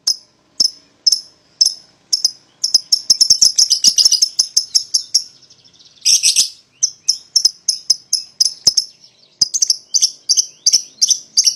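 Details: Paired paud lovebirds sound off to entice a rival to join in, with rapid, high, piercing chirps that speed into a dense chattering trill and then return to a regular chirping beat.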